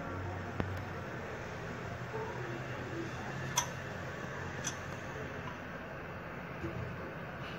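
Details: A quiet indoor hum is broken by a few sharp, isolated clicks, and no animal voices are heard.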